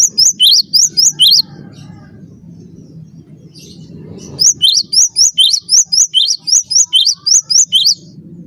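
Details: Cinereous tit in full, persistent song, used as a master recording for training birds: a burst of high, sharp whistled slurs, a pause of about three seconds with low rumbling, then a longer run of quickly repeated paired whistles.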